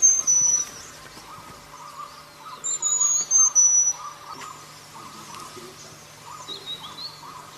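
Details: High, thin whistles from a wild selendang biru bird, each burst a run of short slightly descending notes, heard at the start and again midway, against continuous pulsing insect sounds.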